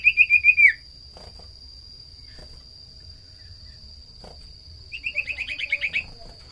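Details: Common iora lure recording meant to set other small birds singing: a rapid pulsing trill of about six notes that dips at the end, a long pause, then a faster burst of repeated trilled notes, with a steady high electronic tone throughout.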